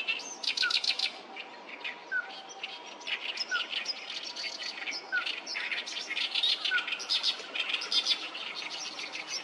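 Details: A noisy gathering of oriental reed warblers at the Sawatari River, 7 June 2024, sings grating, guttural chatter in rapid rhythmic bursts; short falling whistles recur about every one and a half seconds beneath.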